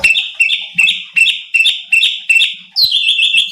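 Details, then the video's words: Cucak cungkok bulbul in energetic full song, used as a training recording to provoke competition birds: clear whistled phrases that slide down then flutter at a steady high pitch, repeated about every 0.4 seconds, one rising note near the end. "CUCAK CUNGKOK GACOR || Pancingan Cucak Cungkok Malas Bunyi | Bikin Emosi Burung Lain"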